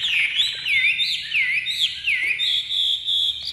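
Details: Chinese hwamei kept in a cage, just out of its nest box, singing clear whistled notes that dip and rise in quick succession, then a sustained buzzy trill at the end.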